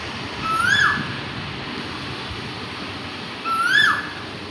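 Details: One Asian koel sitting in a peepal tree in the morning, calling "ku ku". Two clear whistled notes, each rising then dipping, come about three seconds apart over a steady hiss.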